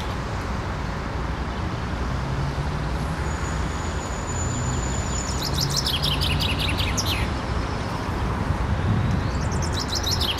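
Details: A common chaffinch in a park gives a bright, fast descending phrase, sung twice over a steady roar of traffic.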